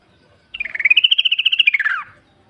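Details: A single wild yellow-vented bulbul phrase, a rapid rattling run of pulsed notes that climbs slightly, holds, then slurs downward over about one and a half seconds, in otherwise quiet surroundings.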